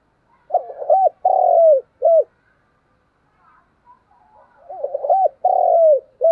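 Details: Decoy spotted dove cooing vigorously, repeating a gruff phrase twice: fluttering short notes, a long slurred descending coo and a brief last note, with a few soft sounds in the pause.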